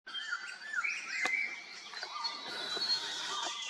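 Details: Grey-sided laughingthrush in Khonoma, Nagaland, India, in April 2024. Several birds call at once in dense, overlapping chatter: short whistled and warbling notes, mostly mid to high pitched, some sliding up and down, over a steady hiss.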